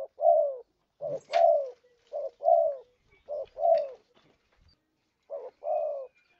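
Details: A spotted dove trapping lure: repeated hollow paired coos, a short note then a drawn, gently falling note, with a brief pause before the last phrase and a few faint clicks.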